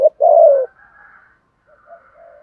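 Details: One spotted dove coo, played as a lure in the patterned 'thúc gù' style: a brief clipped note, then a full, mellow, gently falling coo, followed by faint soft murmurs.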